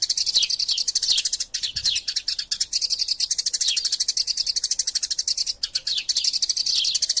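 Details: Eurasian tree sparrows in a fighting bout, from a training recording for songbirds, fill the air with fast, continuous high chirping and occasional downward-slurred notes. The chatter is dense and steady throughout, with no gap.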